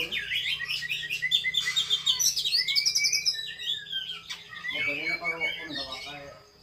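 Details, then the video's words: Female Javan pied starling (kacer) in fighting mood delivering rapid chattering phrases and slurred rising whistles, with a low steady hum and a brief voice in the background. "kacer betina narung"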